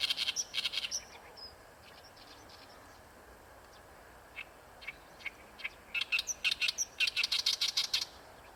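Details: Oriental reed warbler in song at Ikejima; bursts of loud, rapid, grating chattering notes at the start and end, with fainter scattered chirps between.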